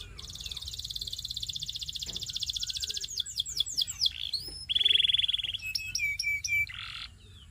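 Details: Belgian singing canary, said to seduce other canaries, delivering a fast buzzy trill, then sweeping downslurred whistles, a bright sustained rolling tour and quick metallic notes ending in a low slur.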